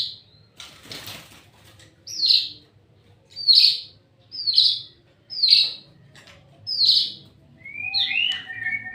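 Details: Energetic white-rumped shama song: sharp high bursts repeated roughly once a second, six in a row, closing with a tumbling warbled phrase, after a brief noisy crackle at the start.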